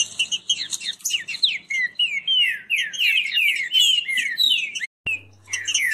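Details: Kept green-winged saltators sing fast in a song dispute: dense, overlapping whistled and slurred notes pour out rapidly with little pause. A sharp click and brief silence come near the end, then a low hum as singing resumes.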